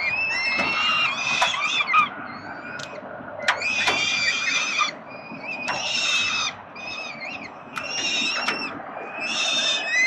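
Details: Peregrine falcon chicks begging as their father feeds them at the 367 Collins Street nest, Melbourne, Australia, 30 October 2021. Harsh, high, harmonic screeching bursts come in clusters every second or two over a steady low hum.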